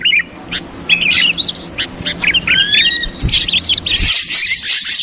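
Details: Ashy drongo lure sound in the 'trucukan ribut' (noisy chatter) style: sharp high chirps and squawks, then clear rising and falling whistled notes with overtones, ending in a dense burst of rapid chattering. A low hum runs underneath.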